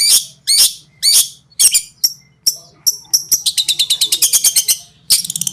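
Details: Cendet, or long-tailed shrike, singing konslet-style tutor material: a few separate sweeping, scratchy notes at first, then a fast run of sharp repeated clicks and ticks, over a steady low electrical hum.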